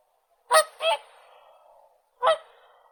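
A whooper swan gives three loud, trumpeting honks: two close together, then a third after a pause, with a faint reverberant tail.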